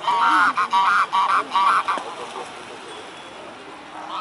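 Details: Mute swans by the Blaues Wunder bridge in Dresden, Germany, 14 October 2017, 2 pm: a rapid run of six loud, nasal honks in under two seconds, then quieter background sound.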